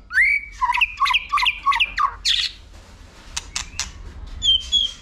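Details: Competition song of a White-rumped shama, provoked to sing and flicking its tail: a fast run of about six repeated, sharply falling whistled notes, then scattered clicks and a final high, slurred whistle.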